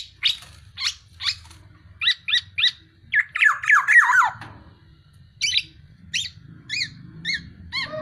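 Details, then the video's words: Tame, vocal black-naped oriole giving repeated short harsh chips, then a rapid descending run of nasal squawky notes, ending with spaced harmonic chirps over a low background rumble. "KEPODANG EMAS JINAK GACOR"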